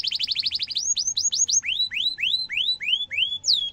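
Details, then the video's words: Young-canary tutor song from a domestic canary: a rapid trill of tight repeated notes gives way to clear whistled upward-sweeping 'cuit' notes, each about a third of a second apart, ending in a falling slur. "kenari gacor panjang cuit cuit emosi, pancingan kenari paud belajar bunyi"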